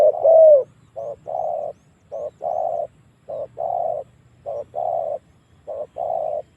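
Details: Spotted dove calling as a lure to bring wild doves in to fight. Steady pairs of a brief coo followed by a longer mellow coo, one pair every second or so, over a faint low hum.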